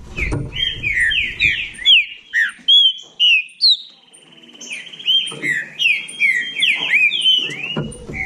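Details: Competing green-winged saltator from Bahia pours out fast whistled phrases of sweeping notes, pauses briefly, then resumes a rapid run of rising and falling whistles, with faint low noise underneath.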